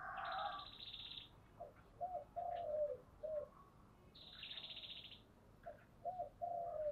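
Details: Spotted dove in thổ style song, two phrases of low soft coos, each closing with a longer drawn note. Each phrase is preceded by a high rasping pulsed trill from another source, over a low background hum.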